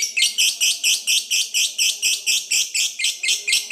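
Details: Lovebird 'ngekek panjang' lure call to provoke rival birds: evenly spaced, harsh, buzzy bursts about two per second, each note scratchy and high, continuing without pause.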